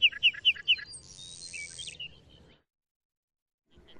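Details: Lark bunting song fragment of four sharp, evenly spaced chip notes followed by a long high buzzy note, then quiet.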